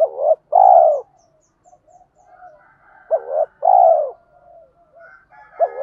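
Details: Decoy spotted dove voice of the "tiếng thúc" type for luring wild doves: two low coo phrases, a brief hooked note then a longer hoarse coo, with faint softer cooing and distant higher calls between.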